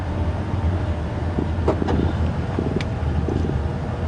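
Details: Steady low engine drone of a vehicle with a few faint clicks and rattles; no animal call.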